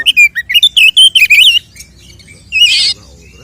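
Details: Oriental magpie-robin in 'tarung konslet' fighting style, a lure to rouse other males: loud slurred whistles at high pitch in quick succession over about 1.5 seconds, a short gap, then one burst of harsh buzzy notes.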